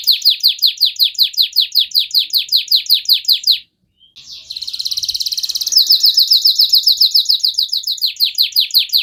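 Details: Canary song for provoking other canaries: a long run of loud, rhythmic downslurred notes, a brief silence, then rapid buzzy trills and more repeated slurred notes.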